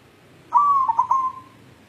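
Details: Local white zebra dove searching for a mate, giving one clear whistled coo that stutters in quick beats midway and then fades as a long steady trill.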